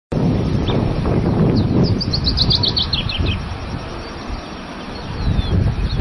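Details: Masked yellowthroat recorded at Laguna del Diario, Uruguay, on 13 December 2016: a quick run of high, downslurred chirps tumbling lower over about a second and a half, over heavy low rumbling wind or traffic noise.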